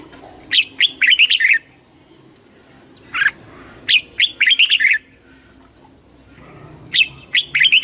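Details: Red-whiskered bulbul competition song, three similar phrases each of a single sharp note followed by a rapid cluster of warbling whistles, spaced about three seconds apart, over quiet background hum.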